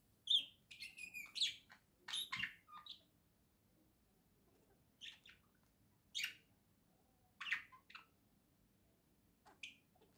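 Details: Pair of caged pet budgerigars chattering while playing and preening together indoors: rapid sharp chirps and buzzy twitters in clusters, then single chirps every second or two over a quiet background.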